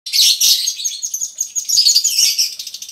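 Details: Lovebirds, female and male of the konslet type, singing together in a colony in the long ngekek style used to prompt other lovebirds; dense, high, scratchy chattering with rapid twittering notes that runs on without pause.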